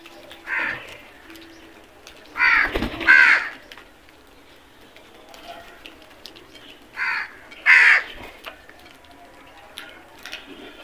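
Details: Crows cawing in short groups of rough, nasal notes, one caw, then a double, a pause, then another pair, with quiet background bird sounds.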